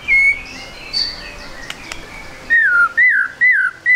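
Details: White-rumped shama, trotol song used as a lure to start birds singing: one clear whistle and a faint high note, then four loud downslurred whistles in quick succession.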